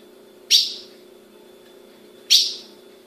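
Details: Captive female ultramarine grosbeak from a registered breeder in Brazil calling: two sharp, bright chip notes about two seconds apart, each with a quick fading tail, over a steady low background hum.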